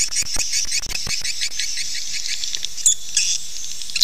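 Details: Swiftlet calls used to lure swiftlets into nesting quickly: dense, high twittering chirps, partly overlapping, continuing throughout with a few sharper accented notes near the end; low sounds absent.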